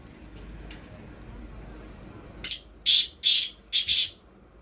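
Black Francolin giving a loud, harsh, grating call in a quick burst of four to five notes after a quiet start with faint clicks.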